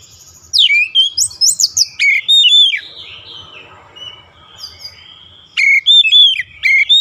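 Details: Oriental magpie-robin song recorded for daily training toward a long rolling song: a dense run of varied whistled notes, a softer twittering stretch, then loud repeated rising-falling whistles.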